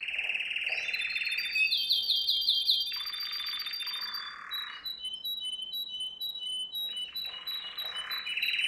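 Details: Canary song for training young canaries, slightly softer: a low rolling trill, a burst of high chattering notes, a lower buzzy roll, then scattered high whistled notes and another low trill.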